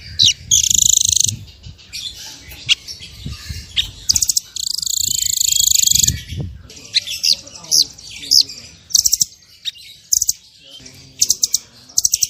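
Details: A blue nuthatch (Sitta azurea) gives song in bursts of high, thin chattering notes, with a longer buzzy trill in the middle. Faint low background noise sits underneath.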